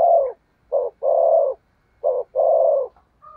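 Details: Captive decoy spotted dove cooing to attract wild doves: short note then long steady burring coo, pairs repeated about once a second, clear and close with little background.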